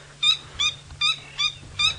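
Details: Coqui francolin female calling at sunset, 15 July 2017, in Djuma game reserve, Sabi Sand, South Africa, gives five short, nasal, ringing notes, evenly spaced about every third of a second, over a faint low engine hum; males respond.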